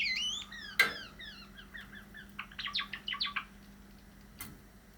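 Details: Pet cream Java sparrows, a male and a likely female, rehearse their song: a series of thin descending chirped notes, a sharp click, then a rapid cluster of rattling ticks, and a lone click near the end against a low hum.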